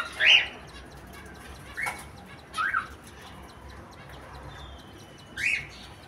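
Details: Gray cockatiel breeder pair in the morning giving short, shrill chirping calls spaced a second or two apart.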